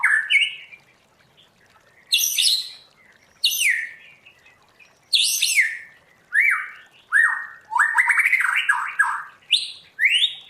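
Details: White-rumped shama singing forest-voice style: separate bold phrases every second or so, each a sharp descending slur or a rapid string of rising notes, with short silences between.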